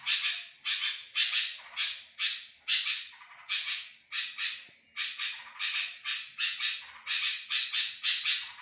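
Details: Sooty-headed bulbul calling continuously, used to draw in other bulbuls: a long series of coarse, scratchy bursts, often paired, about two per second, with only brief gaps.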